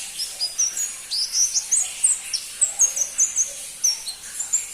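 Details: Crimson-breasted flowerpecker (pentis pelangi), a bird rarely kept by Indonesian songbird hobbyists, giving a run of very high, thin, sharp chirps and short whistled slurs, about two or three notes per second, over faint background hiss.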